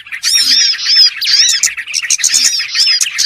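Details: Small birds (burcil) on a trapping lure recording: loud, squeaky high calls and quick chattering phrases in overlapping bursts, some notes harsh and squawky among the tweets.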